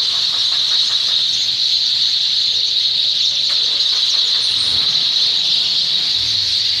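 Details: Many sparrows chirp together in the evening, a dense, unbroken chatter of high, overlapping cheeps with no pauses.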